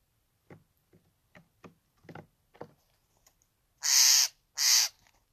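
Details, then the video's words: Steller's jay in Angelus Oaks, California: two loud, harsh, rasping screeches, each about half a second long and spaced under a second apart, follow a series of soft, low knocks and taps. "Steller's Jays in Angelus Oaks, California"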